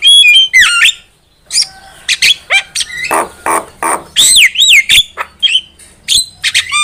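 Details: Javan myna singing in lively lure style for trapping: loud rasping squawks mixed with bright whistled slurs and sharp clicks, coming in dense bursts after a brief pause near the start.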